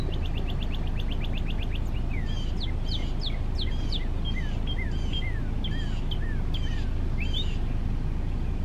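A male Northern Cardinal sings a fast run of short sweet notes, then loud down-slurred whistles about twice a second, over a steady low rumble of distant traffic.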